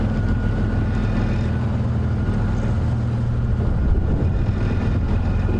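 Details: Steady low vehicle engine rumble with a faint high whine on a sunrise safari drive; no animal calls are heard.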